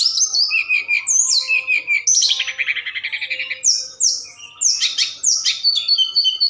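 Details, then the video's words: Forktail singing at night, used as a lure to make other birds answer: a rapid, varied series of high whistled notes, downslurs and a buzzy rising trill, with notes packed closely together. "Tledekan Gunung Gacor Malam || Suara Pancingan"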